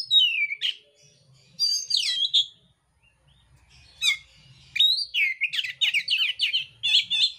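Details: Mintal oriental magpie-robin singing a fighting song with coarse filler phrases: descending whistles and buzzy notes, a short pause, then a fast stuttering string of repeated high notes running to the end.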